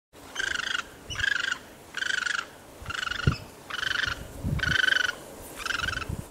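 Great egret giving seven harsh, raspy croaks in a steady series, about one a second, over low rumbling background noise.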